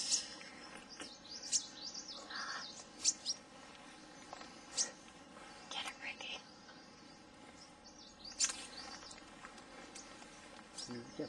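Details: Green-tailed sunbird at Doi Inthanon National Park near Chiang Mai, Thailand: sharp, high, thin chips and short ticking notes, irregularly spaced, some in quick pairs, over faint background hiss and soft whispered voices.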